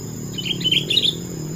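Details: Sooty-headed bulbul (kutilang) giving one melodious phrase of several fluty, chirpy whistles over a constant low hum.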